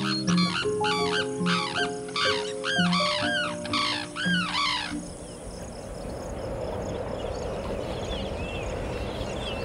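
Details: A pair of Sarus cranes in north India, about to nest, trumpet in unison, the male leading and the female joining. Loud arching bugled notes come about twice a second for five seconds over soft music, then only a quiet hiss.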